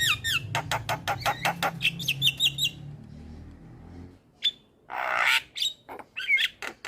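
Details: Full black-winged myna song for training and coaxing quiet birds to sing: quick rattling clicks with short whistled phrases, a low hum early, then a pause followed by harsh rasping bursts and scattered sharp notes.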